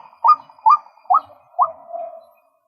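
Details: Male white-breasted waterhen uttering four short rising croaks at even spacing, the last trailing into a low, fading murmur before silence.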